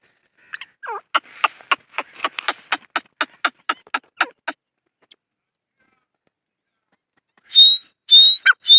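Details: Francolin known locally as dakhni teetar, giving a rapid run of about fifteen dry clicking notes at an even pace after a brief slurred note. After a pause come several sharp, high, slightly rising whistles.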